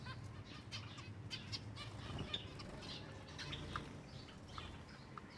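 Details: Feeding-time chatter from silver Java sparrows: light, high chirps and ticks come in loose bursts, fairly soft, against a background of low rumbling hum.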